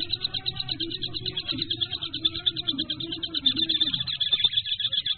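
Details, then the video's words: Kingfisher calling in an unbroken chain of quick, high, clipped notes, with a low dove coo rolling underneath for most of the stretch. "Birds chirp length tiller Tengkek"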